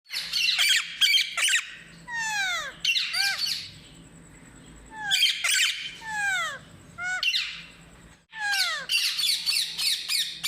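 An Alexandrine parakeet gives harsh squawks mixed with clear whistles that swoop steeply downward.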